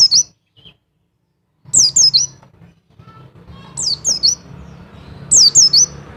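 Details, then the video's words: Double call of a mountain white-eye, played to excite males into breeding condition: clusters of two or three high, quickly falling notes in bursts, with faint low hum behind. "Call Dobel Pleci Wilis Menaikan Birahi Pleci Jantan"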